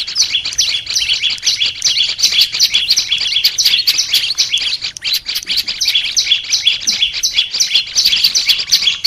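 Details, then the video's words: Extended olive-backed tailorbird song for training the bird to sing: a continuous torrent of high, fast chirps and whistles, almost no pauses across the whole run. "Melatih suara burung prenjak lumut biar gacor"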